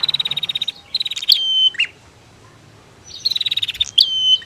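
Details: Female and male prinia, heard to provoke cage birds into song: fast pulsed trilling bursts followed by a sharp whistled slur and falling buzzy note, a gap, then the same phrase returns.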